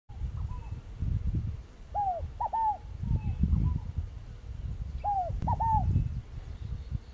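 Scaled dove giving soft, hollow cooing notes in quick groups of two or three, repeated every few seconds, over a steady low rumble of wind or distant traffic.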